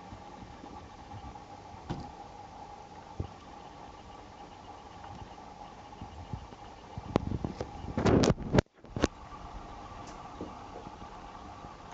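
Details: Steady low hum and room noise with no animal voice, broken by a brief cluster of sharp knocks and handling clicks near the middle.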